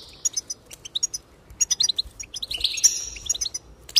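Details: Goldfinch song for encouraging birds to sing, a string of clipped, high twittering notes building into a sustained buzzy, tinkling trill.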